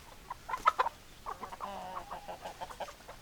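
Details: Hens clucking, a quick cluster of loud sharp clucks followed by softer, longer wavering notes and more spaced clucks.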